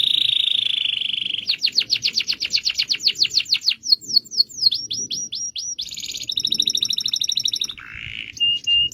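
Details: Caged canary singing a long rolling song: a steady tone, a run of falling whistled sweeps, rising slurs, then a fast high trill and a short lower phrase.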